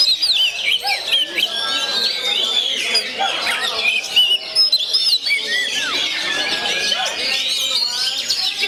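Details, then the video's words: A 'gondo mayit' oriental magpie-robin in natural voice, delivering an unbroken torrent of high whistles, twittering chatter and sweeping slurred notes with loud bursts at the start. "SUARA ASLI KACER GONDO MAYIT"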